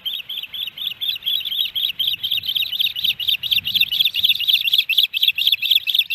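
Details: Ospreys at the Hellgate Canyon nest in Missoula, Montana, July 13, 2018, during fish deliveries; dense, continuous high chirping with overlapping harsh whistles, rapid and rhythmic throughout, suggesting more than one bird calling.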